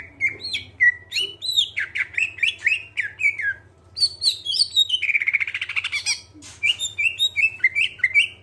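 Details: Greater green leafbird, clear-voiced, singing to lure other birds into song: a continuous stream of varied slurred whistles rising and falling, broken by a rapid buzzy trill midway, above a faint hum.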